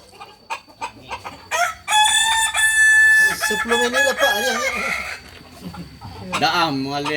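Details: Kukuak balenggek rooster at a Sunday joint practice event in Ampang Kualo crows loudly: a bright, sustained harmonic note for over a second, then descending broken steps, followed by a second rising crow, with claps and chatter behind.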